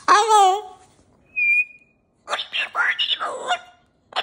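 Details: Caged cockatoo with new jingly toys: a loud falling squawk, a short pure whistle, then a jumble of mumbling speech-like syllables.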